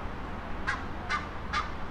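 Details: Goose calling right in the heart of Stuttgart's city centre, Germany; three short, harsh honks about 0.4 seconds apart over a low rumble of city traffic.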